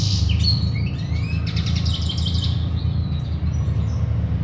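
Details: European goldfinch song: a stream of bright, chattering high twitters with a few rising slurred whistles, a steady low hum beneath.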